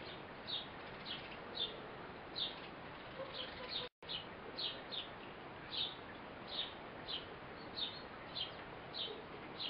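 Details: A blue tit mother feeds her fledgling. Sharp, high-pitched chirps sound steadily, about two per second, with a short gap midway. A faint hiss is present throughout.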